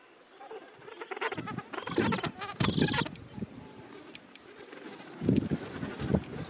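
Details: Gentoo penguins in a breeding colony of thousands of birds at the end of summer; harsh, braying calls rise in loud bursts around two and five seconds over a low murmur of the crowded rookery.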